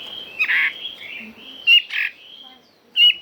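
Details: Chinese hwamei singing in a true forest-style voice: short clear whistled phrases, some slurred and some held level, broken by pauses, with a few louder bursts near the end and a quiet background.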